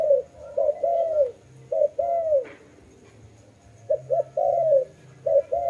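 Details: Dove uttering quick double notes followed by a longer falling coo, in two bouts separated by a quiet gap of about a second, over a faint low hum.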